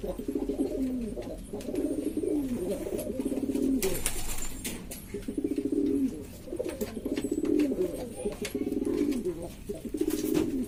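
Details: Noisy group of domestic pigeons from East Lombok, Indonesia, a hobbyist's birds of several varieties: low rolling coos repeated in bursts about every two seconds, with occasional clicks and knocks.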